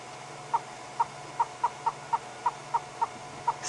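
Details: Yellow-billed hornbill calling on a hot afternoon game drive in Africa, panting with open beak; a steady series of about eleven short hollow clucks, roughly three per second, with a faint engine drone behind.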